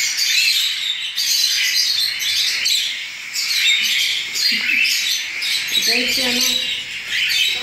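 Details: Cockatiel chicks recently out of the nest, hand-fed with pap three times a day at 10 ml. They give a dense, continuous chorus of harsh, hissing rasps, with brief low voice sounds near the end.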